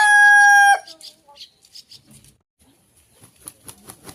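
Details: Phone-recorded rooster holding a steady, rich, harmonic crow note for under a second before it cuts off, then faint scattered clucks and rustling.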